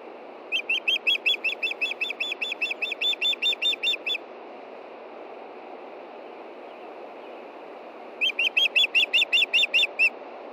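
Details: Female osprey in Montana calling for fish before dark on 22 June 2013 at 9:53 p.m. as her mate fishes nearby: two bursts of rapid, evenly spaced high whistled chirps, about fifteen then eight notes, against steady low background hiss.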